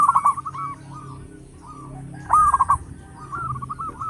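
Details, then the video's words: Loud local zebra dove, used as a lure, sings brief rippling coos broken by a harsh stuttered burst midway, then more soft trilled notes. "Perkutut lokal gacor suara besar bikin gempar bunyi seteras cocok buat pancingan"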